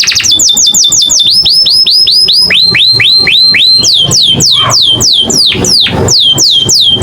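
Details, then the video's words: American singer canary song, loud and varied: series of upward-hooked whistled notes repeated in quick rhythm, shifting through several phrase types with sweeping slurs, over a constant low background hum. "the beautiful sound of the American canary."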